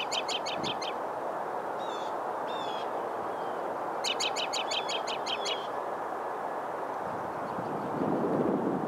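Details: Close-up American robin calling in March 2012 at Kissena Corridor Park, New York City: quick bursts of sharp, high chipping notes, about eight in a rapid run, with a few thin whistles between, over a steady roar of traffic.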